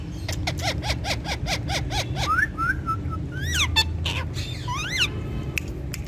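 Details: Pet Indian ringneck parakeets called talking parrots: a quick series of short clipped chirps, then rising whistled sweeps and sharp upward-slurred notes, with a constant low background hum.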